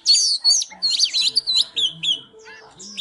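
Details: Oriental magpie-robin in fired-up singing and dancing display, giving a quick tumbling run of high warbled whistles and squeaky notes that fades out, with soft low tones beneath.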